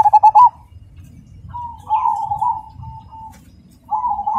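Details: Cemani zebra dove, black variety, singing with a big, clear, rhythmic voice: four sharp stuttered coo notes open, followed by a long, level, mid-pitched coo and another coo starting at the close.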